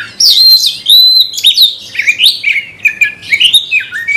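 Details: An agitated kacer (Oriental magpie-robin) kept in a cage, stirred to fight an opponent, gives a fast unbroken run of loud whistles that swoop up and down, mixed with scratchy chatter.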